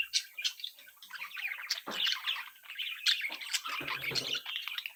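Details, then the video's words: A brood of young budgerigars, playing and interacting, keeps up a busy, crackling warble of squeaks and chirps from several birds, with a soft rustling noise near the end. "Sonidos de Mi Cría de Periquitos Australianos que estimula a tu Periquito Solitario"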